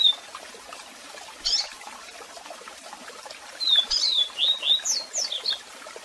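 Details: Double-collared seedeater singing a strong, unusual song mixed with calls. A lone sharp note is followed by a burst of rapid, slurred whistles and sweeping high notes. A steady waterfall hiss runs underneath.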